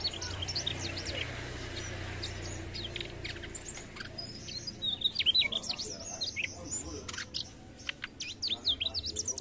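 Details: Actively singing Mugimaki flycatcher: sparse high chips at first, then a rapid twittering phrase of thin, slurred notes midway, followed by further scattered sharp chirps and short trills.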